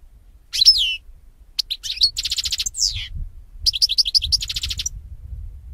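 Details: European goldfinch song played to train goldfinches: lively mix of liquid twitters, buzzy trills and rapid repeated notes in two main bursts.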